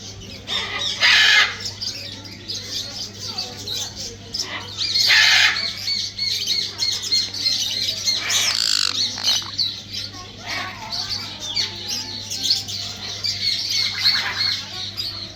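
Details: A pair of sun conures dancing and singing, giving harsh, grating screeches in loud bursts every second or two, some drawn out and others clipped, over a steady low hum.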